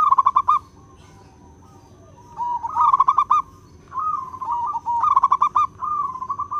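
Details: Clear, crystal-voiced song of a local wild perkutut (zebra dove) for luring birds: repeated phrases of fast stuttering coos alternating with wavering trilled notes, steady and uninterrupted by other sounds.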